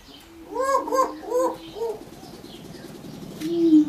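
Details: Male greater prairie-chicken in courtship display: a series of low, hollow, cooing booms with rising-falling tones, several quick notes close together, then softer continuing hum with a final low moan.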